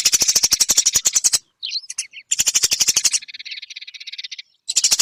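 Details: Eurasian tree sparrow training recording for songbirds: fast harsh chirping trills in bursts, with a few twittered notes and a softer buzzy rattle between bursts.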